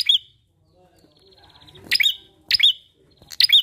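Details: Bar-winged prinia giving bright, clipped chirps as a lure for other birds to sing; a first note, a quiet gap, then three loud notes in quick succession with a thin whistle between.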